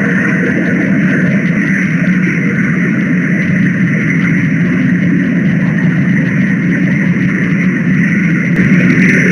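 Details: Steady low engine and traffic rumble with a constant hum fills the whole recording, and no animal voice stands out.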